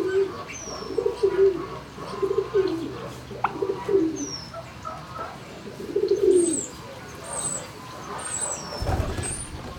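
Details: A flock of turkeys in a barn, March 26, 2019, midday, uttering a string of short, wavering notes roughly every second, a rising-falling call near six seconds, a thump near the end, and faint high chirps above.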